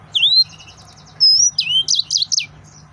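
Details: Excited male yellow-fronted canary delivers a rising whistle, a soft rapid twitter, a long clear high note, then a cluster of loud trilled phrases, with low hum faintly underneath.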